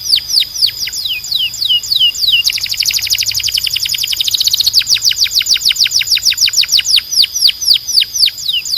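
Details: Canary tutor song to encourage singing: a steady series of falling whistled sweeps, a rapid dense rattling trill in the middle, then more evenly spaced downward swoops repeated about three times per second.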